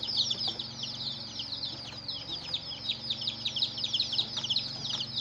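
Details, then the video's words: Many colored chicks peeping together in a dense, continuous chorus of high, thin, downward-slurred cheeps that overlap constantly, with a steady low mechanical hum underneath. "Hen Murgi Baby "Chicks Chirping" Sound"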